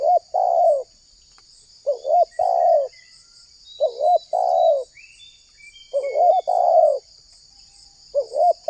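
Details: Spotted dove call played to lure wild doves into calling back. Paired phrases of quick wavering notes and longer descending coos repeat about every two seconds, with faint thin whistles from other birds and a continuous high hiss.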